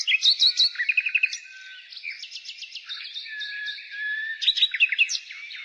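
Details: Nightingale singing in springtime, with fast stuttering notes, short trills and repeated upward strokes, broken by softer whistled passages against continuous background birdsong.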